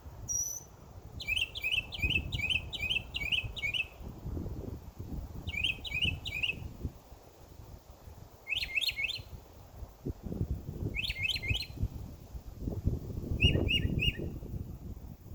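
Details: Summer backyard birds chirp in quick rattling bursts of five or six notes, then shorter groups of two or three spaced a few seconds apart, over soft outdoor background noise.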